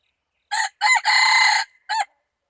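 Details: Red junglefowl crowing, recorded 24 February 2019, said to crow better than a domestic chicken: a loud, harsh crow in four bursts, two short notes, a long drawn-out middle note, then a brief final note, with no other sounds.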